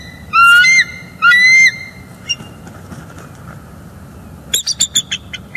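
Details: Pair of bald eagles at a northeast Florida nest, recorded by live camera one December 2021 morning around mating: two loud, rising whistled notes, a pause, then a rapid series of sharp, chattering pips.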